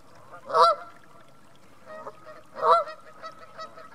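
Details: Vocal geese at North Third reservoir near Stirling: two loud, harmonically rich honks about two seconds apart, with softer, shorter calls between them against a quiet background.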